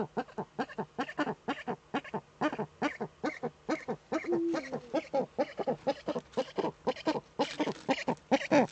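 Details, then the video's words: On a nest webcam in northern Rhineland-Palatinate, Germany, 10 May 2013, a courting female Eurasian eagle-owl in her nest niche utters a long, steady stream of quick, harsh stuttering notes with a brief drawn-out tone midway. "Uhu-Weibchen balzt in der Brutnische"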